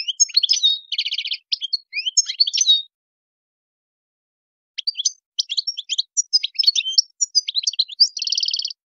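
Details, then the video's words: European goldfinch in a wild-style song: two bursts of bright, rapid, high twittering with dense buzzy rattles, separated by nearly two seconds of silence, ending on a nasal buzzing trill. No other sounds. "chant chardonneret sauvage"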